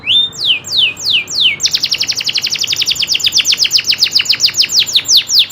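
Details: Singing local canary: a few slow downward-sweeping whistles, then a quick run of sharp descending notes delivered several per second as a rolling trill.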